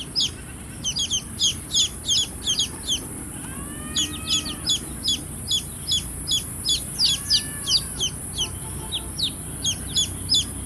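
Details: Chicks chirping in dense runs of shrill, falling peeps, often paired, with brief gaps and a few softer curved calls from other chicks underneath.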